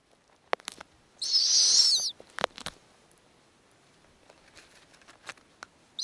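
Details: At an Arctic snowy owl nest with newly hatched owlets being fed by the female, a single loud, rough, wavering high screech lasting under a second, surrounded by sharp clicks and rustling, a new call beginning at the very end.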